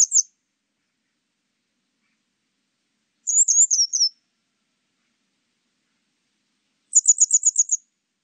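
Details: Grey wagtail recorded for a 2020 national biological resources collection: a brief high chip, a slurred twittering phrase, then a fast series of about seven thin, even ticks, separated by silent gaps.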